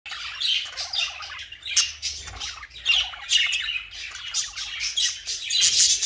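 Budgerigars chatter continuously with scratchy warbles, squawks and quick chirps.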